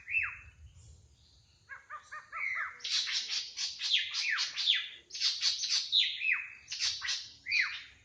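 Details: Drongo singing in the wild: a falling whistle, a stuttered series of short ringing notes, then a long sequence of loud rasping, downward-sweeping calls.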